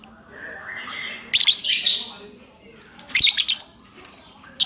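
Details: Lovebird in continuous 'ngacor' song: a long, raspy, high buzzing burst, a pause, then a clipped run of sharp chattering notes and one more brief burst.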